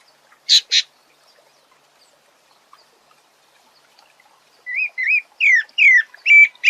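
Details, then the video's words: Sabiá (thrush) singing: two brief harsh bursts, a quiet pause, then a run of clear whistled notes, some rising and some swooping down, given in quick succession and getting louder toward the end. "Lindo canto do sabiá"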